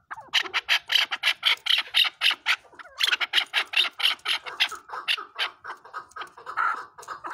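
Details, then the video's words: Chukar partridge uttering fast, scratchy chucking notes in two bursts, about four a second, the second burst trailing off into lower, softer repeated notes. "Chakoor Bird Beautiful Sounds |چکور کی آواز"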